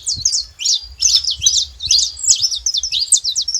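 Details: Saffron finch song from birds free in nature: fast, bright chirps and downward zigzag notes tumbling together in two quick phrases, high-pitched and lively.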